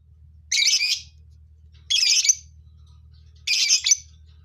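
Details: Colony of lovebirds giving three harsh, noisy squawks spaced more than a second apart, each lasting about half a second.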